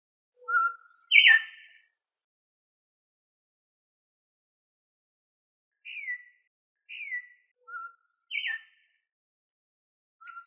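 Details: Venezuelan troupial, song meant for teaching birds and attracting others; a few separate whistled notes and short buzzy downslurred phrases with long silent gaps between them.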